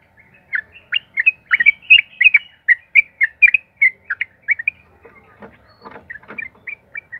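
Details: Sooty-headed bulbul delivering long, rapid song as a lure for other bulbuls: a dense string of about sixteen short, clear whistled notes, followed by softer scattered notes and light clicks.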